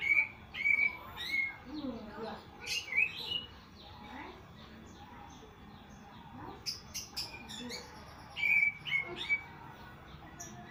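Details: Unusual song of a greater green leafbird, or cucak ijo: sharp whistled notes repeated in quick runs, interspersed with clicks, squeaks and scratchy bursts, with a quiet pause midway before the whistles return.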